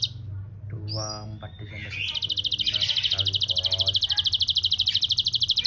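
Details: Canary with the grasshopper-style filling in its song: after about two seconds of a man speaking, a fast, even, very high buzzy trill of rapid repeated pulses runs steadily to the end.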